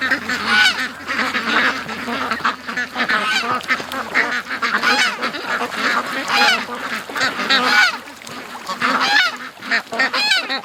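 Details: Ducks calling in a noisy crowd during a morning rush from the pen to the creek, let out an hour late. Harsh, overlapping quacks rise and fall continuously, with a few sharper squeaky notes standing out.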